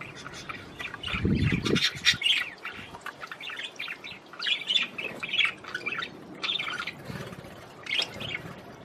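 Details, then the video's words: Budgerigar singing to stimulate the female to mate: a steady stream of chattering, warbled notes and short squeaks in bursts, with a brief low thump near the start. "تغريد طير البادجي لتحفيز الأنثى على التزاوج"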